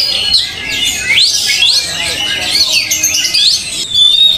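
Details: Oriental magpie-robin taken to an open field for mental training, singing a loud, rapid string of high whistled and chattering notes with sweeping rises and falls, other birdsong overlapping in the background.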